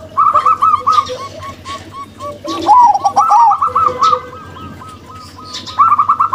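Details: Zebra doves, a local female and a crossbred male, give bursts of quick, bouncy, repeated coos. A loud tumbling phrase comes at the start, another in the middle with an overlapping lower voice, and a third at the end.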